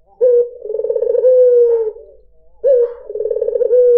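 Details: Low, mellow coo of a white dove (puter putih), meant to lure other birds. A crisp opening note leads into a throbbing roll, then a long, softly sinking tone. A second phrase begins after a short quiet gap.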